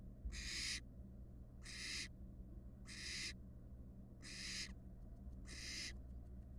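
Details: Five raspy hiss bursts from barn owl fledglings in a Florida nest box, 2022 live cam, spaced about 1.2 seconds apart, the last one thinner and fading, over a faint steady hum.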